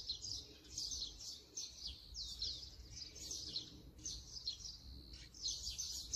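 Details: Brown-eared bulbul, Sony camera with 200-600mm lens: bursts of harsh, squealing high notes come in groups separated by short pauses, each burst about a second long, over faint low background hum.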